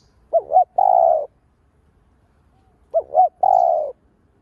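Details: Spotted dove lure calling to stimulate other doves: two phrases, each a pair of quick looping notes followed by a sustained mellow coo, separated by a quiet gap.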